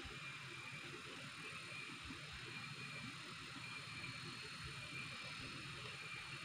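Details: A constant faint hiss and low rumble, with a thin steady tone, fill the recording, and no animal calls stand out.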